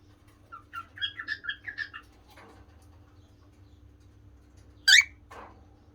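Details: A gentle male pet cockatiel gives a quick run of soft, chirpy notes, then one sharp, high screech.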